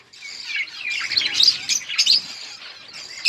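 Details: Budgerigars give a continuous high warbling chatter, dense and buzzy, peaking midway with sharp tweets before easing and then rising again at the end.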